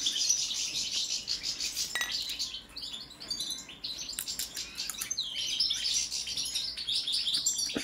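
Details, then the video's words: European goldfinch of the balcanica subspecies singing a fast, high twittering run of tinkling notes and short buzzy trills, broken by a pause midway and a few sharp clicks. "Kontrola pesme, štiglić, češljugar, grdelin n, carduelis balcanica"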